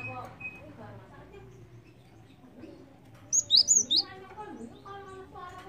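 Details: Lure recording of a Java sparrow: after a long quiet stretch with faint low murmuring, a short cluster of four sharp, high, slurred chirps rings out, then fades back to background hum.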